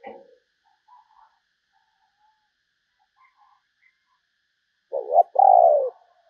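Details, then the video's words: Spotted dove, a bird described as newly trained for calling, gives a low, husky two-part coo near the end after a few faint soft notes; otherwise quiet. "chim cu gáy kích bổi mới"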